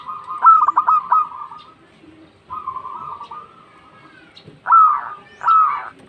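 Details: Local zebra dove calling to companions: a quick stuttering burst of cooing notes, a softer drawn-out purring phrase, then two louder, separate, downslurred coos near the end, in otherwise quiet surroundings.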